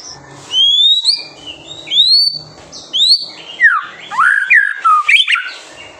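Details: White-rumped shama song recorded to spur young birds to sing: upward-sliding clear whistles at regular intervals, then a fast tumble of descending slurred notes.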